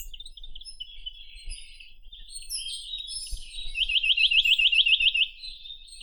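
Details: A steady rapid trill of around eleven bright rising notes from a Chinese nuthatch, preceded by soft high twittering and a single low knock.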